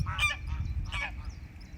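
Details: Greylag goose (Anser anser) honks at flooded ground near Colchester: two harsh, nasal honks about 0.8 seconds apart over a low rumble of wind, with mute swans, shelducks and other waterfowl present.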